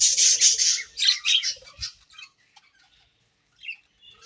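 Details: Budgerigars in their breeding season give a run of loud scratchy chattering chirps for about two seconds, then fall nearly quiet with only a few soft high peeps.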